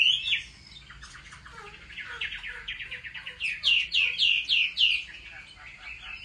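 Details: Chinese hwamei performing fighting song during home training; after a brief loud whistle and softer chatter, a series of loud, evenly spaced, upslurred whistled notes repeats about three times per second.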